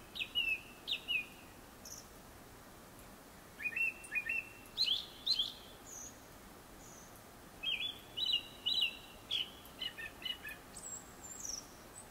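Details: Before sunset, a Japanese thrush delivers clear whistled phrases of repeated and slurred notes, spaced by short pauses, with a thin high note near the end.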